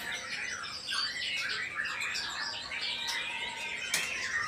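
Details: Male white-rumped shama from Indonesia heard at lower volume, pouring out a dense, scratchy, jumbled warble of high notes, with a sharp click near the end.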